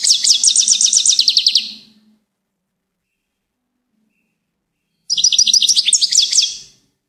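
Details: Goldfinch delivering quick, evenly repeated bright chirps in a trill lasting under two seconds, silence, then another twittering phrase.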